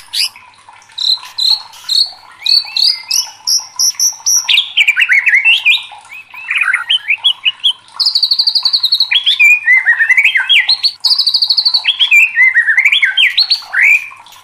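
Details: White-rumped shama, a caged contest bird described as worked up, pouring out a long varied song of whistled phrases, sliding notes and two extended high rapid trills, loud and continuous.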